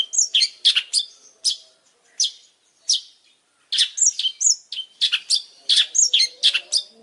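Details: Energetic long-tailed shrike song made of scratchy, steeply descending notes, scattered at first, then packed into dense chattering clusters in the second half, over a soft low hum.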